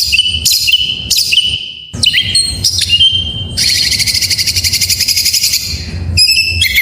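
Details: White-rumped shama song meant to prompt other shamas to sing: repeated short whistles, then a long buzzy trilling passage, ending in quick chips.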